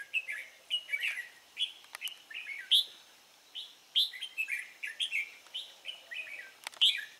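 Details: Red-whiskered bulbul in the wild, 23 April 2017, delivering a long string of lively chirped and warbled notes, several bright accented whistles standing out, a few faint clicks in the background.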